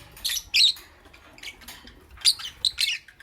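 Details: Lovebird chirping in the morning, with short, harsh, high squawks in small clusters separated by brief silences.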